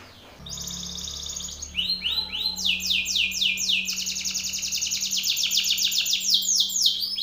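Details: Male Belgian canary singing loudly and aggressively at another male: after a faint start, a long high whistled note leads into fast rolling trills of descending sweeps and rapid repeated syllables, with a steady low hum beneath.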